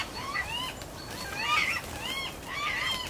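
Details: Pair of northern goshawks waiting to mate: three drawn-out wailing calls that rise and fall in arched notes, spaced about a second apart, over soft background noise.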